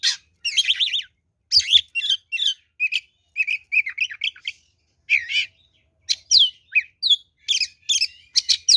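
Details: Oriental magpie-robin in full fighting song, a lure for rival birds: dense stream of varied warbles, rattles and descending whistles in quick succession, with faint low thumps.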